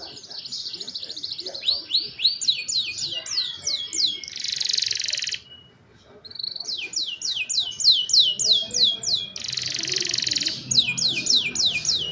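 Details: Young canaries singing to coach other canaries, captured on cellphone: series of fast repeated sweeping whistles interrupted by harsh buzzy bursts, with a short quiet gap midway.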